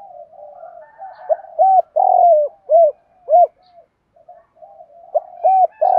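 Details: Spotted dove cooing, male and female birds, used to prompt training doves: a run of short, even, arched coos around a longer falling coo, a quiet gap, then more coos.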